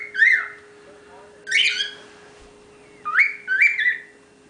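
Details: Young cockatiel, the youngest of ten kept together, whistling happily: four bright, clear whistled notes, each sliding up then holding steady, in two pairs roughly a second and a half apart, with a steady faint hum beneath.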